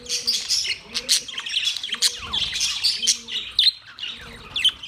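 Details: Pet budgerigars, among them black-faced budgies, keep up dense, busy chatter of quick high chirps, clicks and squeaky warbled notes, several voices overlapping, over a soft low humming tone.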